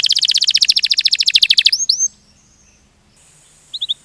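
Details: Canary's ngerol song, a lively rolling style: a rapid, even, buzzy trill for nearly two seconds, then a couple of curling whistles, a pause with faint hiss, and three short high notes.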